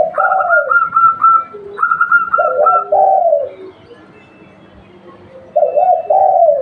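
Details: Local spotted dove recorded as a lure, repeating deep, wavering coo phrases with falling endings, with two steady higher whistled notes overlapping the first phrases, then a quiet gap before further coos.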